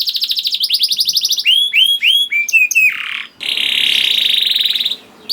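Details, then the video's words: Canary song from a young bird, used to prompt other canaries to sing: a pulsing trill, a few clear downslurred whistles, a short rattle, then a long even buzzy roll. "PANCINGAN KENARI PAUD TERBUKTI AMPUH MEMANCING KENARI SUSAH BUNYI IKUT GACOR"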